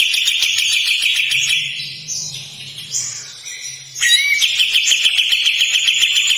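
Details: Harsh rasping trill from a kapas tembak, a fast pulsed buzz that fades into quieter scratchy notes before a loud rattling burst starts up again and carries on.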